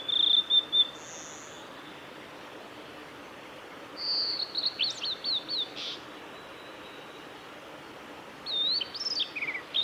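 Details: A male blue-and-white flycatcher sings on 17 May 2020 on the Kanazawa forest road at Lake Miyagase, Japan. It gives high, clear whistled phrases with quick chattering notes, three bursts spaced over ten seconds, against a soft background hiss.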